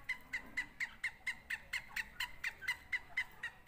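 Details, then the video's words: Francolin in a contest between Sindhi and Punjabi birds: a rapid, even series of short, sharp notes, roughly four each second, with faint background noise. "سندھی اور پنجابی تیتر کا مقابلہ"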